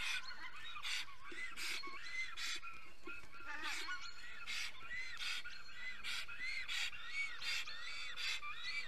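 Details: Male black stork (Ciconia nigra) singing at its nest in Estonia at 5:48 am, 10 April 2020: a string of wheezy, honking whistled notes about one per second, mixed with breathy hissing bursts over steady background hiss.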